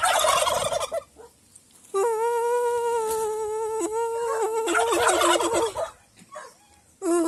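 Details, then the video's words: Domestic turkeys in Aratoca, Colombia, calling back as their owner communicates with them: a long, steady, nasal tone held for about two seconds, then wavering notes, with shorter noisy calls before and after. "El sonido de los pavos: parte 10 2023 New Nuevo! Aratoca, Colombia = Turkey Sounds"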